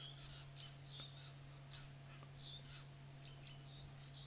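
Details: Drongos calling excitedly at a giant eagle owl during an afternoon game drive on 06/07/10: a busy stream of overlapping whistled and slurred notes, some rising, some falling, from several birds, over a steady low electrical hum.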